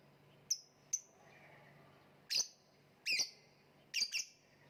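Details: Caged lovebird with thin clicking ticks, then louder piercing chirps, some doubled, coming roughly every second over faint background hum.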